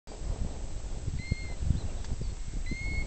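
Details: On the high moors of Buckden Pike, Yorkshire, a bird the recordist thinks, unsure, is a plover gives two plaintive, level whistled notes about a second and a half apart over heavy low wind rumble.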